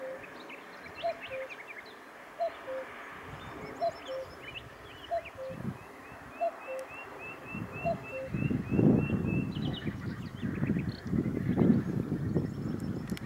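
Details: In Sofia, Bulgaria, on 1 May 2020, a common cuckoo gives its soft, falling two-note 'cuck-oo' about every second and a half, over a thin series of higher chirps from another bird and rustling wind.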